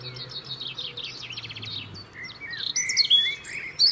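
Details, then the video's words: European robin in the UK singing to maintain its winter territory: a fast jumble of high, twittering and warbling notes, rapid rattled trills, then sharp descending whistles and squeaky phrases, with a faint low hum beneath. "Beautiful song of Robins"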